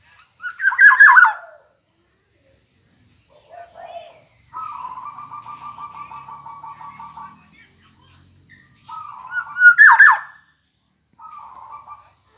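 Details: Continuously singing Black-naped oriole: two loud, harsh whistled bursts frame a long, even trill of rapid repeated notes lasting about three seconds, with soft warbles and a shorter trill between.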